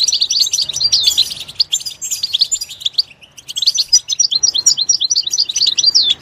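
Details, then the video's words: Lively goldfinch twittering in its natural surroundings, dense high chirps and trills pouring out, pausing briefly near the middle before another quick, jangling run. "soothing nature sounds of the Goldfinch"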